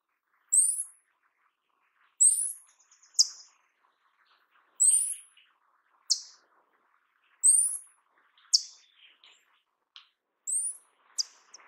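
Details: Paradise tanager calls: a repeated sequence of high, thin rising buzzes each followed by a sharp descending tick, about five pairs, with faint soft chatter beneath.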